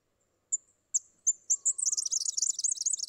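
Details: Red-backed fairywren in Australia: a few thin, very high, separated notes that speed into a fast, reeling, high-pitched trill, with quiet background.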